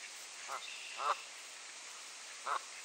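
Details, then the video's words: Geese in an annual territorial fight at Sainte-Adèle, Quebec, Canada, on a clear 7°C April morning in 2023; three short harmonic honks, spaced irregularly, rise from a steady hiss of background noise. "Annual Goose Turf War-2023 Edition"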